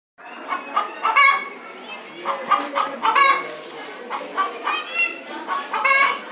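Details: Domestic chickens, cock and hen, from Saharanpur making loud, harsh, nasal clucks and squawks in irregular bursts roughly every half second to a second, some calls rising and drawn out, with faint background murmur.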